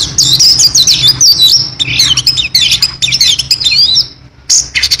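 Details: Oriental magpie-robin in full, varied song: rapid high whistled and chattering phrases, sliding trills and quick notes packed densely, with brief pauses near the end; faint low hum underneath.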